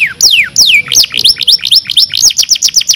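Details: Canary song from a training recording played to canaries to improve their singing: tours of slurred descending whistles, then rapid repeated upswept notes at about four per second, bright and high.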